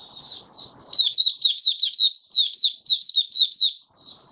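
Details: Open singing by an oriental white-eye (Mata Puteh Raja) on the fifth day after monthly deworming, January 2022. After a few soft notes, a loud run of quick, high, slurred chirps comes in regular pulses.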